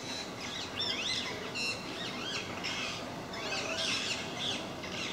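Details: Flock of parakeets at a park they visit regularly, noisily calling: shrill, rasping squawks and sharp chirps from several birds, clustered in bursts with brief pauses, over steady low background noise.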